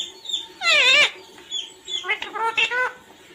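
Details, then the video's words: Talking parrot uttering a loud drawn-out harmonic syllable followed by a string of shorter wavering voice-like sounds, resembling spoken words, over a faint background hum. "Talking parrot mummy -papa koun aaya hai Mithu Bhai"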